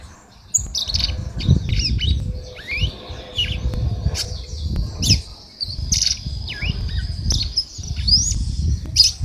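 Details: Red-cowled cardinal female singing the way a male does: a run of short whistled and slurred notes repeated throughout, with sharp chirps between phrases, over steady low rumbling noise.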